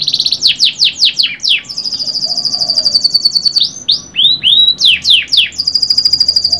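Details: Pet canary singing: quick downward strokes, then a long sustained high buzzy trill, a few rising slurred whistles, more swooping notes and another bright rolling trill.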